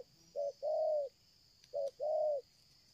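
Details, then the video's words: Two paired coos from a spotted dove of the 'selang gagap' stuttering cooing style, kept for luring: a clipped short note followed by a drawn-out even coo, with a faint click and steady high hiss behind. "tekukur ini kuat nguku dari jauh mendekat nguku takberhenti,penguku selang gagap"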